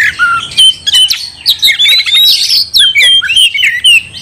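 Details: Kacer, oriental magpie-robin, singing to provoke a fight: short bursts of loud whistles, squeaky slurs and scratchy notes, separated by brief silences.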